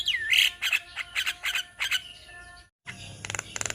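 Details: Javan myna group in Indonesia, tutor recording: a looping whistle, then rhythmic harsh squawky notes several per second, a brief silent cut, and fainter rasping chatter afterward.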